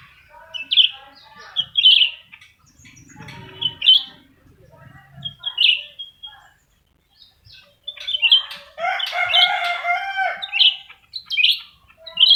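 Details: Black-crested bulbuls pitted against each other in a singing contest, both singing vigorously: short bright chirps repeated every second or two, then a dense burst of chattering, jumbled notes with wing flutters, ending in more sharp chirps.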